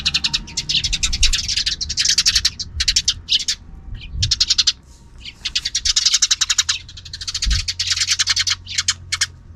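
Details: Afternoon sparrows keep up a noise outside a camera's view: dense, rapid trains of harsh high chirps in bursts lasting one to two seconds, nearly continuous, with occasional low thumps.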